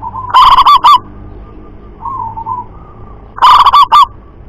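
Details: Local wild zebra dove, perkutut lokal, singing a loud shrieking double "kuk" style: loud, rapid, distorted coo bursts at the start and end, with softer drawn-out coos between them.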